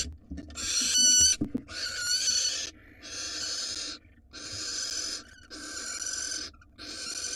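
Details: Female barn owl receiving a rat from her mate at a nest box camera in Israel: harsh, hissing screeches about a second long, repeated in a steady series, with a brief rustle near the start.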